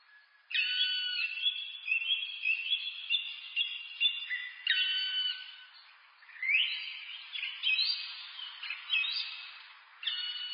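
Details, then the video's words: Black woodpecker calls repeated in series, a string of clear, ringing notes about two per second, some rising sharply, pausing and resuming in three bouts. "Black woodpecker, Dryocopus martius, birds, SOUND EFFECT"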